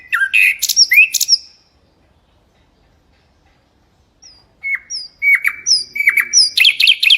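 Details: Melodious, varied song of a mangrove whistler: sharp slurred whistles and chirps at the start, a silent gap, then a run of short upslurred whistles and clipped notes quickening into rapid chirping.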